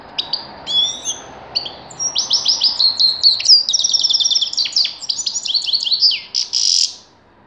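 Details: Sustained grey-crowned goldfinch song: whistled opening notes lead into about five seconds of fast, continuous high twittering and buzzy trills, ending in a harsh buzz.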